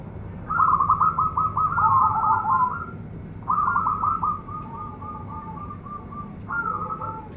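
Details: Local zebra dove, a young bird, sings long rolling phrases of fast staccato coos, each series trailing off softer, repeated three times over steady low hum.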